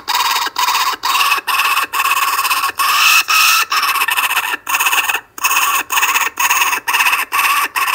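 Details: Kookaburras on a webcam in Australia at 5:55 pm on Monday 12/10/12, with one grabbing food, give loud, harsh, rapid cackling notes, about two per second, in a steady raucous run like a chuckling laugh.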